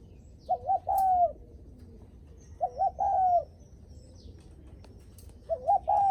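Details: Spotted dove coos in the greeting-visitors manner, three repeated phrases of a fluttering double note and a sustained coo, with a thin high whistle from another bird faintly behind.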